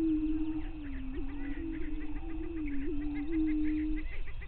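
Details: Dawn lek of greater prairie chickens, 9 May 2023, on Minnesota's Bluestem Prairie near Glyndon. A low, sustained droning hum with small upward bumps stops shortly before the end, and quick higher chatter rises above it.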